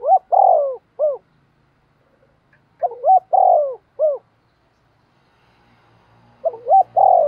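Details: A spotted dove coos to provoke wild birds, cooing all day. Its phrases repeat at steady intervals, each a quick lead-in, a long throaty rolling coo and a short falling end note, with near silence between.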